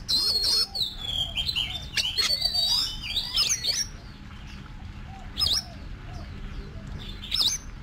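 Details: Caged Oriental magpie-robin practising contest song, opening with a long rich stream of looping whistles and trills, then quieter scattered chips and short notes, with a low hum underneath.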